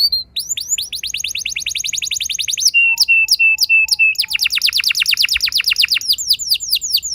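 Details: Canary lure song meant to set other canaries singing long rolls: a fast trill, then short level whistles paired with low piping notes, followed by another rapid rolling trill and sharp slurs.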